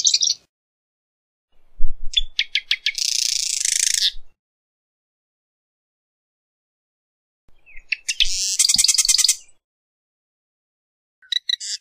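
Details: Two songs of a Marsh wren about six seconds apart. Each opens with quick clicking notes and bursts into a harsh, buzzing rattle roughly two seconds long, with short faint notes at the start and finish.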